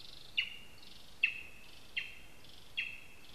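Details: Lesser spotted eagle at its spruce nest in Zemgale, Latvia, on a live camera, giving four high, downward-slurred yelps at slightly uneven intervals over a faint steady whine and background hiss.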